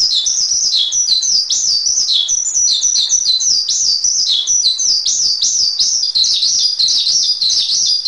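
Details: In this masteran of the Javan pied starling, known locally as jalak suren, rapid shrill notes stream on without a break, with steep descending slurs recurring every second or so.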